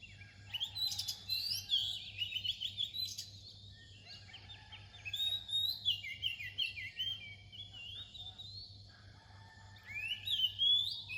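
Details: Oriental magpie-robin near dawn delivering loud, bright whistled phrases in repeated bursts every few seconds, with rising and falling slurs and brief pauses, against a steady low hum.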